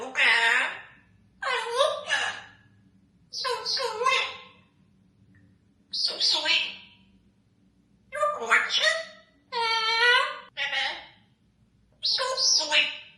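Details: Congo African grey parrot mimicking human speech indoors: eight separate word-like phrases, bright and strongly harmonic, spaced by short silences, with a faint low hum underneath.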